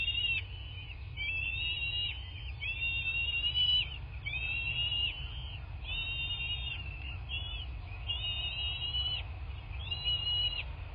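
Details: Piping calls at a bald eagle nest in southwest Florida, captured by nest camera on 8 March 2024, 11:00; a long series of high, flat whistled notes repeated about once a second, over constant hum and low rumble.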